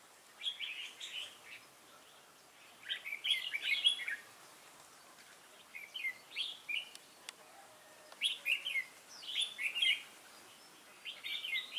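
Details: A wild-caught red-whiskered bulbul with a lân-type crest, recorded 22 October 2018, repeats loud, lively warbled phrases of tumbling whistled notes every one to two seconds, with a brief click midway.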